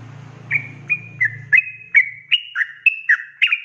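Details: Ropelan song of a sooty-headed bulbul, a training recording for cage birds: low mechanical hum at first, then about ten loud, clear whistled notes, flat or downslurred, delivered in quick succession.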